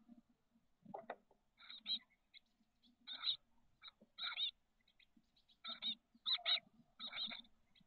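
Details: Chestnut-backed chickadee nestlings, 13 days old, in a backyard nest box in the south San Francisco Bay peninsula on 30 May, give harsh, buzzy bursts in quick irregular clusters, each under half a second, over soft rustling and thumps.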